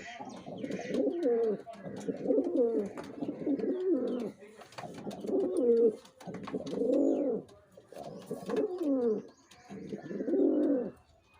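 A male pigeon coos in deep, throaty, rolling phrases, about six bursts of roughly a second each at an uneven pace, with a little background rustle.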